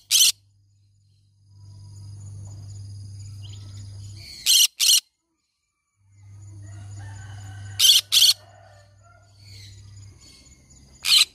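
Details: Green-cheeked conure parrot making short, harsh, rasping squawks, alone and in pairs, spaced several seconds apart over a steady low electrical hum that fills the gaps.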